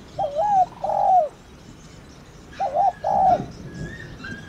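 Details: Spotted dove in thổ đồng calling style, meant to get other doves cooing. Two phrases of mellow hoots, each a wavering double note followed by a longer descending coo, with faint background hiss.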